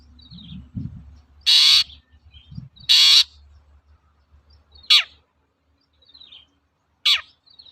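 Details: Harsh, loud rasping screeches from a long-tailed shrike in a training lure recording, four bursts spaced about every two seconds over faint low background hum and soft chatter.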